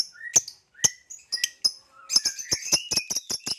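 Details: Caged Nyasa lovebirds, a green hybrid male and a Lilianae, chirping: sharp separated high clicks and squeaks, speeding into a dense, fast chattering run at the end.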